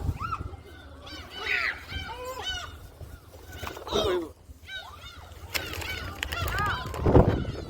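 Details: Being fed at Jebudo island in South Korea, gulls utter scattered nasal yelping cries in short bursts, separated by gaps, mixed with people's voices and low wind or handling noise.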